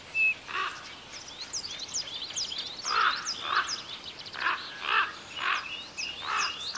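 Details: Rasping, hoarse croaks from young common ravens in Côtes d'Armor, France, growing in the second half into a string of evenly spaced harsh calls, with thin high bird chirps throughout.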